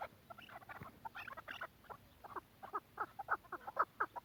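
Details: A chukar partridge from Quetta utters irregular chattering notes that settle into louder, spaced clucks near the end.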